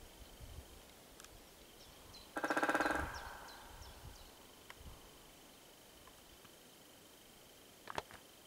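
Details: A great spotted woodpecker in the Janów Forests, Poland, drums one short, rapid roll of about fifteen hard strikes, fading out within a second. Thin high chirps from small birds and a faint steady whine continue around it.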